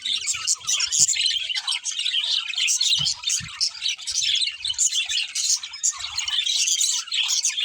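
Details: Budgies kept as pets in a lively flock chorus, busy overlapping chirps and squeaky warbling run without pause, occasional brief low knocks in the background.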